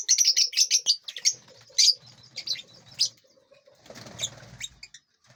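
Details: A flock of lovebirds in a spacious aviary, eating seeds and fruit and flying about. A fast run of piercing chirps opens the recording, then thinner, scattered calls follow and fade.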